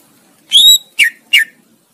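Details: Tutor song of a greater green leafbird for training competition birds: one level whistled note followed by two short, buzzy downslurred notes in quick succession over a quiet background.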